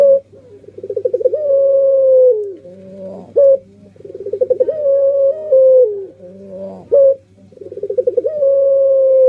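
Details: Puter pelung dove singing a repeated sequence: a rapid rolling burst leading into a long sustained coo, cycling about every three seconds, with a faint low hum beneath.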